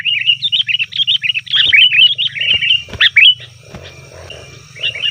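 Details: Sooty-headed bulbul calling noisily, a sound used to lure wild bulbuls: a long lively run of wavering bubbly notes in the first three seconds, then quieter soft rustling and a few faint notes.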